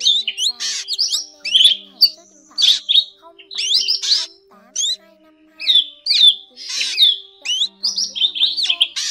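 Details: Recording of drongos played as a lure to call the flock into nets. It has bursts of scratchy, rasping notes mixed with bright rising whistles, arriving in clusters about every second with short gaps, and a steady faint hum underneath.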